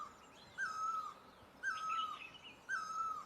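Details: Three evenly spaced great barbet calls, Asia, each a full, slightly wavering tone ending in a downward slur, with soft high twittering of other birds between them.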